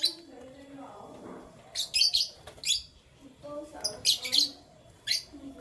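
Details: High, rapid canary chirps and short trills sung in the morning. Soft low murmuring runs beneath the first second, and the bird phrases are broken by brief pauses.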